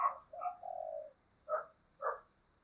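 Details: Spotted dove in 'thúc gù' urging-coo style, a lure call to draw replies from wild doves: a rough opening note sliding into a long low coo, then two short separate coo notes about half a second apart, background quiet.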